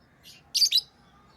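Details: A pet lovebird makes a single brief, harsh, high chirp in two quick parts after a faint softer note; little else is heard.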